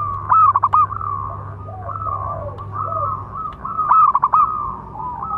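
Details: Local zebra dove with a large voice, training and provoking other doves: two bursts of rapid stuttering coos ending in a held note, separated by softer rolling coos and a low hum.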